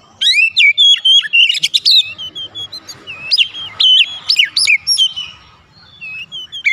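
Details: Provoking lure song of an Oriental magpie-robin: loud descending and rising whistles, clicky buzzy notes and chattery bursts in quick phrases, a quiet gap near the end, then a final whistle.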